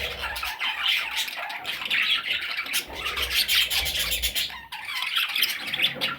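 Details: Parrot chicks producing a dense, scratchy chorus of harsh calls, loud and unbroken, briefly dipping near the end, with low bumping sounds underneath.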